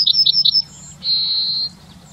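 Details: Urban Yellowhammer in Wittlich, 2019, gives four quick high notes followed by a long, steady drawn-out final note.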